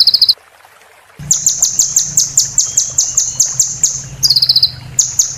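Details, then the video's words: Konin (Van Hasselt's sunbird) roll tembak song for training a moulting bird. After a brief pause comes a long rapid series of very high, evenly repeated chipping notes over a low steady hum, which may be water sound. "MASTERAN KONIN FULL ISIAN ROLL TEMBAK PART 2"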